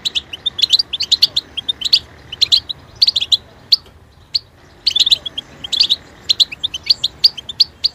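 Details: Goldfinch singing rapid twittering phrases of high, sparkling notes, pausing briefly midway before a fresh burst of chirps and trills.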